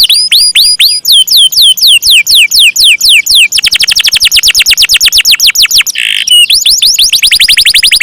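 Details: Vigorously singing canary: a string of looping slurred whistles, then a rapid rolling trill, a short buzzy note near six seconds, and a final fast roll.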